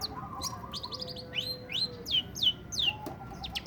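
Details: Long-tailed shrike in breeding condition giving its korok while singing: a string of high, sharply falling slurred notes about three per second, over a faint low sustained whistle from another source.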